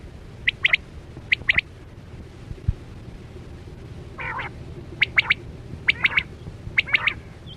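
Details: Chora batera quail lure: clusters of two or three sharp chips spaced about a second apart, a soft buzzy nasal phrase in the middle, and a quiet hum in the background.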